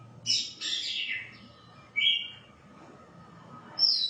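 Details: White-rumped shama giving a buzzy descending phrase, a clear whistled note, then a high thin note after a pause.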